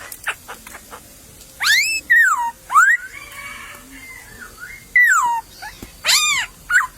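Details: Wild laughingthrush singing in a bamboo thicket: loud, clear whistled notes that sweep upward then slide down, given in separate bursts with pauses, plus a few soft short ticks.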